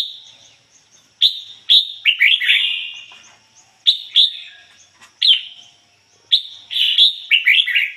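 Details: Red-whiskered bulbul kept as a decoy, singing in the 'ngoi bổi' style with a standard unmixed voice: three lively phrases of sharp, slurred whistles roughly every two to three seconds, clear and loud.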